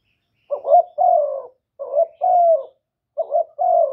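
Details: A spotted dove decoy calls to draw in other doves, recorded without background noise: three deep coo phrases, each a short rising note followed by a longer, gently sloping coo, with about a second of silence between phrases.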